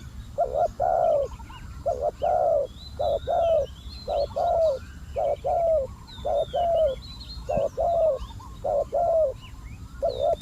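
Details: Steady cooing from a spotted dove used as a decoy for trapping wild doves. Soft, low two-part coos repeat almost once a second throughout, over light chirping from other birds and a faint low hum.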